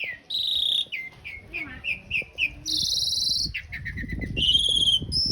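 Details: Asian pied starling song used as a master recording for training cage birds, with rough 'isian kasar' filling and long rolls: buzzy and harsh bursts mixed with short repeated whistled notes, some dense rasping stretches, faint low background noise.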